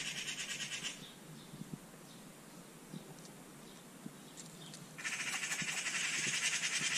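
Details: Agitated magpie parents calling in a garden while a bulldog investigates their fledgling on the ground: harsh, rapid rattling chatter in bursts at the start and again, louder, over the final two seconds, with quiet faint ticks between.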